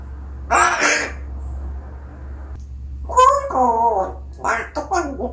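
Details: An angry pet parrot gives three gruff, voice-like bursts, each under a second, imitating a person clearing their throat. A low room hum runs underneath.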